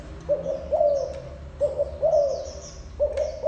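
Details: Spotted dove with soft, hollow coo phrases, a clipped opening note leading into a longer sliding coo, about three phrases spaced over a second apart, faint high bird chatter in the background.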